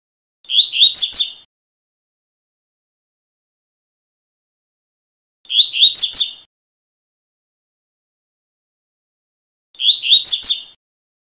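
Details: Double-collared seedeater, or coleiro, delivering its tuí tuí tutor song for young birds: three short, fast phrases of piercing, high chirps separated by pauses of four to five seconds, with nothing else audible.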